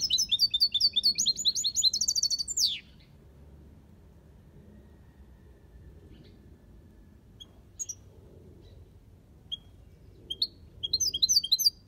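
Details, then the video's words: Aviary European goldfinch singing the Malaga copy style: a fast burst of high twittering, tinkling notes ending in a downward slur, then near silence with a few faint chirps before the song resumes. "Jilguero Cantando copia malaga"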